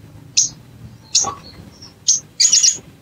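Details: Bar-winged prinia lure sound meant to make a bird sing: a few sharp, high chip notes spaced under a second apart, ending in a brief buzzy stuttering burst, with faint softer whistles between and quiet low background noise.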